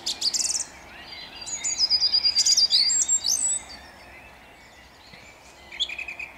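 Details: Song thrush singing at dawn in Jabłonna on 29 April 2021: a burst of sharp notes, then a rapid, high, chattering run of repeated clipped syllables, followed by quieter distant chirps.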